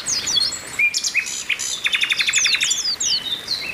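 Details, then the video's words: Several Oriental white-eyes chatter together in thin, very high chirps and overlapping sliding whistles, with a quick run of repeated notes in the middle; the recording is therapy audio to get white-eyes singing. "TERAPI PLECI OMBYOKAN BIKIN CEPAT GACOR"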